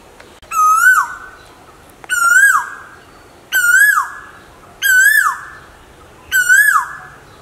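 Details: Asian koel calling, from a recording of male and female koels: five loud, clear whistled notes, each rising then dropping sharply, repeated about every one and a half seconds over a quiet background.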